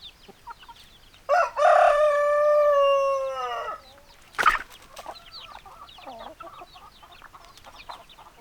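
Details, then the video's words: Backyard chicken: a long, loud drawn-out crow lasting over two seconds, followed by a sharp loud note and then soft scattered clucking and chattering in the background. "Chicken Sounds, Backyard Chicken"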